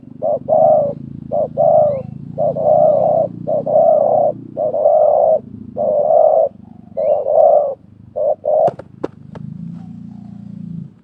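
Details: Wild spotted dove and decoy dove calling against each other at a trapping site, 2024: a long series of loud, throaty coos in short-long pairs, then a few sharp clicks and handling noises as the calling stops.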